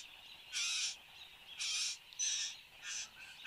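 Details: Satin bowerbird, a male, displaying at its bower in Australia on the morning of 10 January 2015, giving harsh, buzzy, wheezing bursts about half a second long, repeated roughly once a second.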